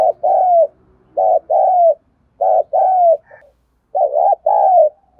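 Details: Spotted dove used as a decoy bird to provoke and train newly caught birds, giving loud paired coos near 500 to 1000, each phrase a short note then a longer falling coo, repeated about every second and a half.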